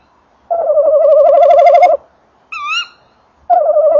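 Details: At a nest box on 28 December 2013 in the evening, a male tawny owl gives a long, vibrating, wavering trill, then a short rising note from the calling female, then another trill begins.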